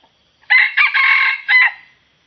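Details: A red junglefowl at a lure-hunting spot on the edge of swampy scrub crows once: a harsh, broken four-part phrase with a long strained middle and a clipped end. Its crow seems oddly like a village chicken's.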